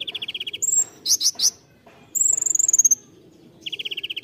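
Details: Konin tembakan song: a quick rattle of even high notes, a thin whistle, three loud sharp chirps, then a falling rapid trill, ending with another fast rattle.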